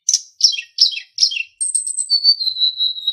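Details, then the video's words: Sunda bush warbler song used as a training recording for songbirds: four quick descending chirps, then thin, very high sustained whistles that step down to a steady lower whistled note. "SUARA BURUNG - Masteran Terbaik Sulingan"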